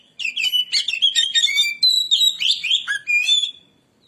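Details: Oriental magpie-robin lure song: a continuous, varied sequence of clear whistles, buzzy trills and quick chatter, with notes rising and falling, delivered loudly and almost without gaps.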